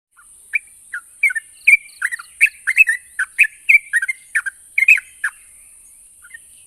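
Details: Yellow-vented bulbul song meant to prompt silent birds to reply: a sparse start, then a busy run of gurgling, chirpy notes packed together through the middle, tailing off into a few faint calls, with a constant high hiss behind.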